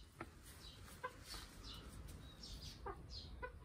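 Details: Domestic chickens feeding inside their coop give a few sharp, separate clucks about a second apart, mixed with faint higher chirps and low background noise.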